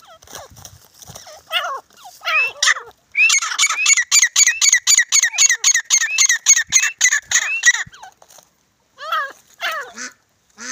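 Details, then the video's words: Desi teetar, the grey francolin, during a fight: a long run of loud, evenly spaced scratchy notes, about four per second, bracketed by looser squeaky chatter before and after. "Desi Teetar Ki Awaz | Grey Francolin Fight Video 2023 | Teetar ki ladai"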